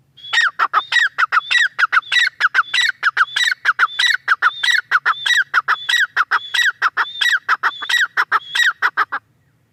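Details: Extended calling bout from a female grey francolin: a fast, steady series of harsh, ringing, downslurred notes repeated many times for nearly ten seconds over a faint low hum.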